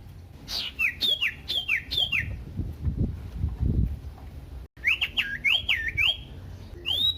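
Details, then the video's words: Loud, varied Common iora song played to excite other ioras into singing, with clear falling and hooked whistled phrases in quick bursts, a noisy low rumble in the middle, and renewed whistles after a brief gap. "pancingan burung sirtu cipoh AMPUH bikin GACOR dan EMOSI"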